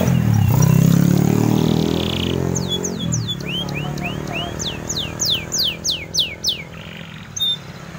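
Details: Canary in full song, used as a model for teaching white-eyes. A loud low rumble and musical tones come first, then a rapid run of bright descending whistles and curved chirps.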